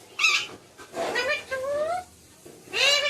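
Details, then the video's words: Pet talking parrot producing speech-like tonal sounds: a sharp bright squawk, then two smooth rising and falling voiced phrases, and a final rising harmonic call, in a quiet indoor setting. "Talking parrot"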